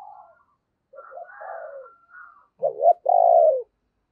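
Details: Spotted dove decoy calling wild doves: faint low coos and a higher wavering coo from another dove, then a loud clipped note followed by a sustained falling hoarse coo.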